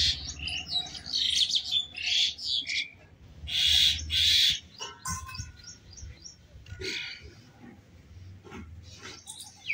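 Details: A myna fighting a snake gives loud, harsh, grating, high-pitched bursts, each about half a second long, in irregular volleys with some softer chatter between.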